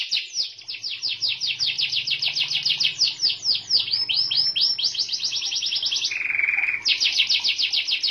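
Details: Song of a white canary: long runs of quick repeated high chirps forming rolling trills, broken by a brief lower steady buzz and then resumed trilling.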